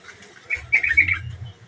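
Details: Yellow-vented bulbul giving a quick run of short, bright chirping notes in a burst lasting under a second, with faint low rumbling behind.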